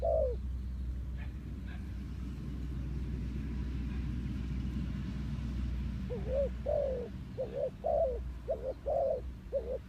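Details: Spotted dove decoy calling to attract wild doves for trapping; a vehicle engine drones for most of the recording, then a quick run of low, rounded coo phrases follows in the last seconds.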